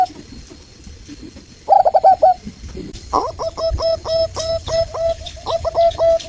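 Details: Local Indonesian variety of zebra dove, song played as a lure so other doves reply: a brief cluster of quick coos, then a longer series of clipped, slightly downward-hooked mid-pitched notes, in bursts over faint background hiss.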